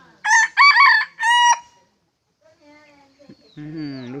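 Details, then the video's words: Loud crow from a large decoy wild red junglefowl, dated 27 October 2020: three quick, clipped, ringing syllables in a row, a pause with faint sounds, then a lower, drawn-out harmonic note. "Gà mồi to,, qaib qus txuam seej heev li"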